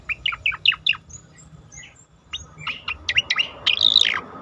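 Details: Song of an Asian pied starling for training competition songbirds: rapid down-slurred whistled notes in a row, a brief lull, then louder chips ending in a bright trilled flourish.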